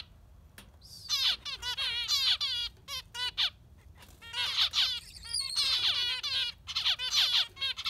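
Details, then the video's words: Yellow finch singing a lively concert: rapid runs of bright, ringing notes and sweeping trills, sung in two long bursts with a short pause between, fairly loud and clear over a quiet background. "Beautiful Yellow Finch giving a Concert"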